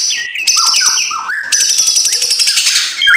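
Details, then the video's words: White-rumped shama morning lure song, used to provoke a lazy bird into singing, with coarse crackling rattles: stuttering buzzy bursts alternating with downslurred whistles, then a long dense high rattle over sustained whistles. "MURAI BATU LANGSUNG NGEGASS KRETEKAN K4SAR SUARA RAME || Memancing emosi murai batu malas bunyi"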